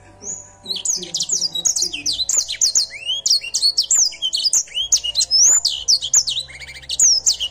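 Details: Edel Sanger canary singing vigorously, dense rapid high chirps and swooping whistles repeated throughout, with faint lower warbling notes near the start.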